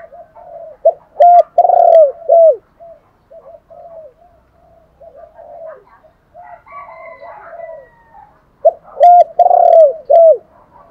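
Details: Luring call of a spotted dove: loud runs of hooked descending coos and long hoots near the start and end, softer coo phrases between, and occasional faint clicks.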